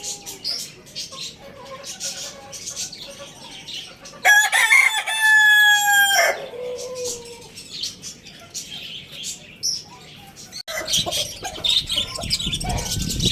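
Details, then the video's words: Lohmann Brown rooster from Lalukhet bird market crows once, a loud two-second harmonic crow falling at the end, amid continuous chirping of small caged birds, followed by rustling noise. "Amazing Rooster Crowing Sound Effect"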